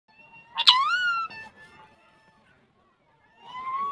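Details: A talking pet ringneck (rose-ringed) parakeet gives a harsh, nasal voice-like phrase that sweeps upward, then after a pause a second, softer rising utterance. No other sounds stand out.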